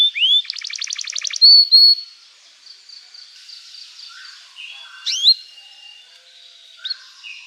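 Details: Canary song used as a lure to teach young canaries to sing: a rapid buzzy trill, clear high whistled notes, then quiet gaps broken by sharp rising chirps.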